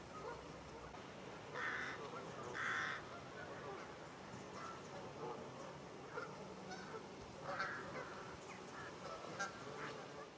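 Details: Canada geese in a big flock in a Wiltshire stubble field, October, some flying low overhead to land; scattered honks rise above a busy, noisy background with quieter calls between.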